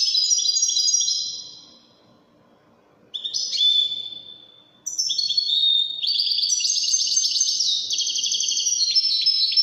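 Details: Goldfinch singing widani-style song: a twittering phrase fading away, a short burst of high notes, then a long, energetic run of rapid tinkling trills.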